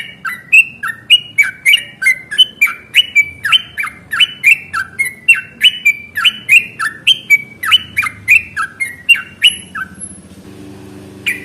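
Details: Yellow-vented bulbul giving a long, continuous fighting song used as a lure to prompt other bulbuls to reply; loud bubbly, liquid phrases of rising and falling whistles pour out without pause, ending abruptly near the close.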